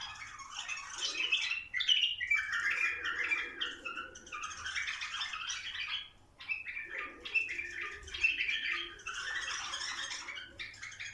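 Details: Bulbuls vocalising to prompt mating: bursts of dense chirping and warbling phrases separated by short lulls, one quiet gap near six seconds, with faint low background noise.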